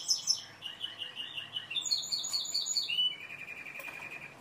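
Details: Timbrado canary song of rapid rolled tours: pulsed trills stepping between pitches, a sharper high chattering passage in the middle, then a smooth sustained lower roll.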